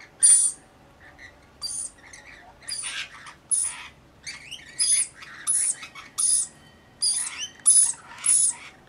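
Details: Rainbow lorikeets bathing and feeding give harsh, buzzy screeches in short bursts about every 0.7 seconds. Each burst has a thin, piercing whistled edge. The background stays quiet between calls.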